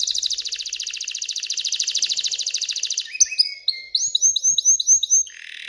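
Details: Excited canary song to stimulate hens to mate and build a nest: a long fast buzzy trill of about three seconds, followed by a run of repeated rising whistled notes and a brief buzzy ending.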